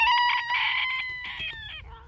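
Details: A Phoenix bantam cock gives a single loud, hoarse crow in several held, wavering segments, trailing off lower at the end.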